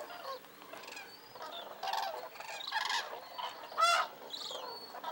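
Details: A large flock of common cranes at Lac du Der, France, in 2017, calling together from a photo hide: loud rolling trumpeting notes overlapping in bursts, some rising and falling.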